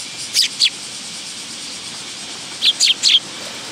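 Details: Willow tits at a feeding spot on a bench, Tenmangu shrine, 10 August 2022: two high, sharp chips, a two-second gap, then three more quick thin notes, over a faint steady high hiss.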